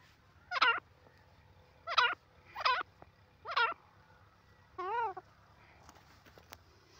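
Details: Grey francolin (dakhni teetar), described as in excited form, gives four loud, harsh, quavering notes roughly a second apart, then one smoother undulating note, over a low steady background hum.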